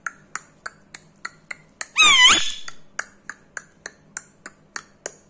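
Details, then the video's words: Indian ringneck parrot, a seven-year-old rescue bird at home in India, clicking steadily about three times a second, then breaking into one drawn-out harsh squawk before the even clicking resumes. "click click parrot"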